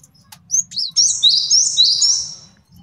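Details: High-pitched male cinereous tit song for tutoring and trapping, opening with a few separate sharp notes before running into a fast, dense stream of thin whistled notes.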